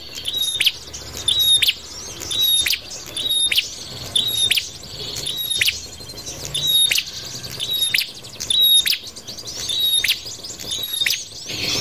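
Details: A prinia, used as a lure call for bird trapping, gives sharp, high chirps about once a second, each with a bright metallic flick, over a steady hiss.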